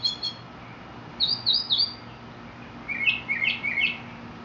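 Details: Mockingbird in Mexico giving varied high chirps: a quick double note, a trio of sharp rising notes, then a looping series of slurred up-and-down whistles.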